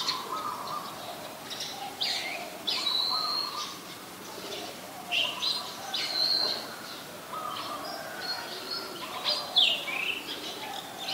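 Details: Oriental magpie-robin, a wild resident bird, recorded in Ubon Ratchathani, Thailand, on 20 March 2022 with a Nikon P1000: scattered short high whistles and chirps come in irregular bursts over a faint steady lower hum.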